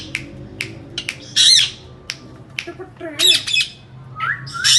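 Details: Indian ringneck parakeets calling and making sounds: loud harsh squawks and sharp clicks in short bursts, some rising whistled notes near the end, with a steady low hum in the background.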